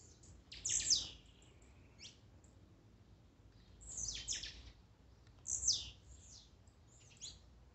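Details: Warm-up mix of blue-black grassquit songs to excite a caged bird: loud high buzzy notes falling in pitch, grouped in three main bursts with fainter notes between.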